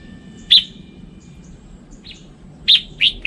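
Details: Red-whiskered bulbul with a loud sharp whistled note, a softer note, then three quick bright notes near the end, over steady low background noise.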